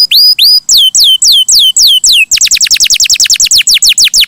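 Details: Canary singing continuously and melodiously: loud, slurred whistles falling in pitch, repeated about three times a second, then breaking into a faster tour of quicker downslurred notes.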